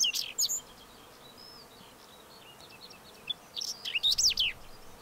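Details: Whinchat song: two short, scratchy, high-pitched twittering strophes, the first abrupt and brief, the second longer and grating, separated by a pause several times longer than the strophe itself.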